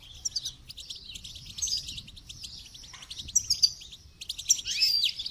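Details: Song-training goldfinch: continuous high, chattering twitter broken by short pauses, with sharp bright notes and a brief descending slur near the end.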